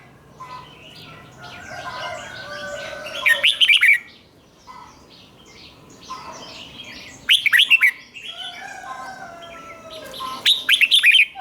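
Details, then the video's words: Red-whiskered bulbul song repeated for young birds to copy: three short loud bursts of fast, bright whistled notes spaced about four seconds apart, over a busy chorus of softer chirping birds. "นกหัวจุกนกร้องริก เบิ้ล3 เปิดให้นกฟังก๊อปติดง่าย"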